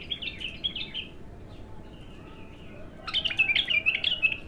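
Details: A raw bulbul sings on its first opening, giving two bursts of bright warbled phrases separated by a short lull, the second phrase louder and more jumbled.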